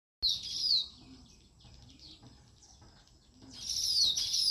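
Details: Natural sparrows chirping: bursts of bright, high twittering chirps open and close the stretch, with quieter scattered chirps in between.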